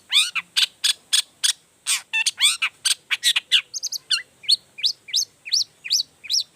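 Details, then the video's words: Long-tailed shrike delivering a varied provoking song for other shrikes: loud rapid chirps and buzzy notes, shifting into a steady series of repeated rising-falling whistled chirps. "Cendet Gacor Full Emosi Bongkar Materi Bikin Cendet Lain Langsung Panas Nyaut Ikutan Bunyi"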